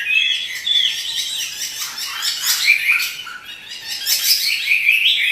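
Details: Chinese hwamei kept as a cage bird sings with bright whistles and raspy chattering notes, the phrases rising and falling in a lively, uneven rhythm.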